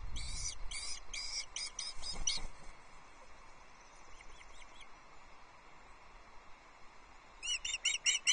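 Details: Wild osprey at its nest on Loch Arkaig, 22 June 2024, as the male delivers a second fish, a small whole trout, to the chicks; loud harsh whistled notes in quick series, pausing, then a fresh burst near the end.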